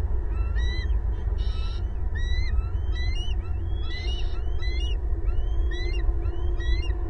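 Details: Family of bald eagles vocalising at a Southwest Florida nest tree, April 18, 2022; repeated high, rising-then-falling chirped whistles roughly every half second, with a couple of harsher buzzy bursts, all over a steady low rumble.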